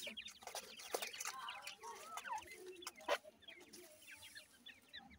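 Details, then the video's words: Grey francolin chicks feeding, giving a busy stream of short, high, chirping peeps, many overlapping and rising or falling quickly, with a few louder sharp notes over a soft background. "gray francolin little chicks feeding,teter chicks awaz"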